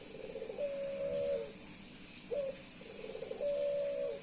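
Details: Courting male Puter Pelung dove facing a female: two clear coo phrases, each a burbling lead-in, a brief rising note and a sustained steady tone easing downward, with a faint constant high whine behind.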